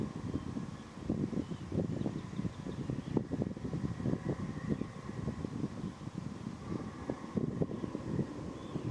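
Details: Steady low rumble of wind and passing traffic, with dense low-pitched mechanical noise and no animal voice.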